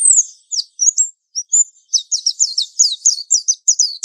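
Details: Mountain white-eye lure song used to train young birds: high, thin chirps, first a few scattered notes, then a rapid run of sharp descending twitters repeated several times a second.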